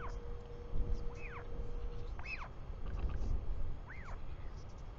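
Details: Royal albatross at a New Zealand conservation nest camera on 24 July 2020, 4:06 pm, as the father returns home: three sparse, high arched squeals, each rising then falling, spaced about 1.5 seconds apart over steady low wind rumble.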